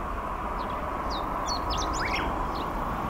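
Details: Song of a Chestnut-eared bunting recorded 10 July 2019 at Hanaizumi, Iwate, Japan: a quick tumbling phrase of thin, high chips and short downslurred notes lasting under a second, set against constant low rumbling noise and a steady mid-pitched hum.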